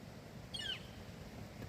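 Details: A Northern Flicker calls from old trees along a wooded trail, giving one short, high, downslurred cry, falling in pitch, over a steady low rumble of wind or distant traffic; knocking had been heard just before.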